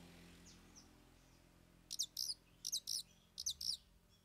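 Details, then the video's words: Cendet, or long-tailed shrike, performing three isian mimicked fillers: short harsh high chirps in three quick clusters of two or three, fairly faint against a steady background hiss. "Cendet Bongkar 3 Isian"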